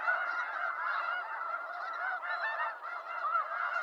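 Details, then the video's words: Wild snow geese from eastern North America, many birds honking at once in a steady, unbroken wall of harsh, nasal calls. "Snow Goose Sounds"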